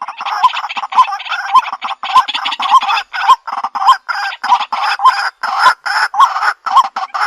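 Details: A 2021 lure recording of a white-breasted waterhen, filmed on a Xiaomi Redmi Note 8 phone: loud, rough, nasal calls repeated almost twice a second in a steady run. Each has a short hooked upturn, with a faint hiss behind.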